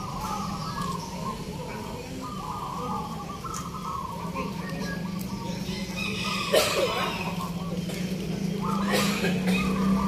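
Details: Zebra doves competing in a local singing contest at a Yogyakarta market, Indonesia; rhythmic cooing notes repeated in quick series, half-buried under crowd noise, engine hum and a sudden loud clatter midway.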